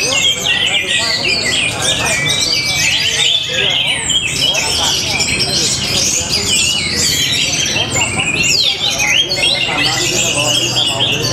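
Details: Orange-headed thrush from Tabanan, Bali, in full, energetic song: a long run of dense, overlapping chirps, trills and swooping whistles, hardly a break, bright and high throughout.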